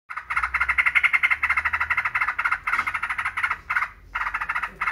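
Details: Yellow-vented bulbul giving a rapid, harsh chattering series of pulsed notes, about four per second, in long bursts broken by short pauses; no other sounds stand out.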